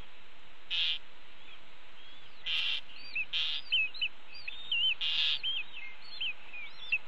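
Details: Red-tailed hawk nestlings at the nest call for their parents during a mid-morning feeding on 30 May 2013, after the mother brings a pigeon. High slurred whistles are broken by several short, loud rushing bursts, with steady background hiss.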